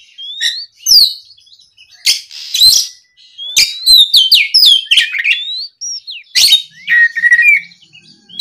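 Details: Provoked by a rival, an Oriental magpie-robin pours out varied song: sliding whistles, abrupt high clicks and scratchy bursts alternate quickly, ending with a level, steady whistled note.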